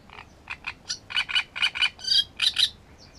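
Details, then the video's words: Great reed warbler in full song at Grachevka on 17 June, loud harsh croaking notes repeated in doubled pairs about twice a second, with a higher squeaky phrase between them and a clean background. "Камышовка Дроздовидная"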